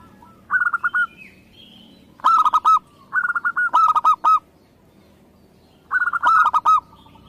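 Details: Local zebra dove giving repeated bursts of rapid, rolling coo notes with a held ending. A second, harsher and more ringing voice overlaps several phrases, making the song sound doubled.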